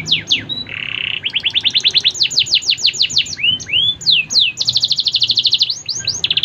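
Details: Faba SF canary singing in Comal, Pemalang, Central Java, Indonesia, with rapid series of sharp downward-slurred whistles, a brief buzzy note, long fast rolling trills and upswept chirps, delivered continuously and loudly with faint low background hum.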